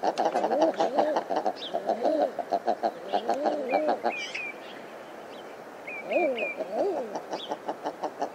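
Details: Common eider: stacked, harmonic arched calls repeated in quick runs, each note bending up then down, with a pause mid-way before another run; thin high chirps from other birds sound above.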